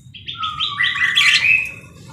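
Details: Singing parakeet gives a dense run of rising whistled, stepped notes climbing into a bright chattering burst, over a low steady hum.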